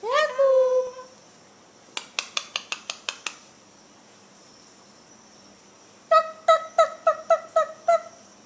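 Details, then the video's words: A cockatoo in Indonesia speaks like a human, giving a drawn-out, voice-like falling word, then a quick run of seven dry clicks and seven laugh-like syllables, over a faint steady whine. "Cockatoos Bird speaking fluently like human"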